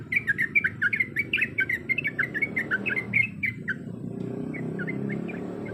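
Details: A female Yellow-vented Bulbul calls to a male with fast, bright chattering notes for nearly four seconds. A few fainter chirps follow, partly covered by low rumbling noise.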